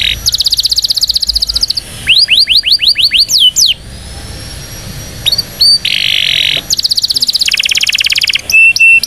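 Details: Indonesian canary singing a powerful training song for young canaries: rapid trills, a series of falling whistled sweeps, a buzzy sustained phrase and fast repeated notes, all high-pitched and loud.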